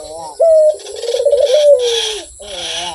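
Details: Melodious, persistent coo of a Barbary dove. A clear flat opening note leads into a throbbing, gradually descending roll, and faint hissy background noise runs through the coo.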